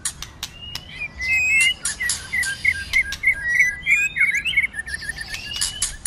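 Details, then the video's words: Fighting song of a White-rumped shama in the cold season, a multi-voiced performance: a quick string of clipped, chirpy whistles at steady mid-high pitch, roughly three per second, punctuated by dry snapping clicks. "Kích Chòe Lửa hót căng tạch đập đuôi sổ nhiều giọng. kích chòe Lửa hót đấu"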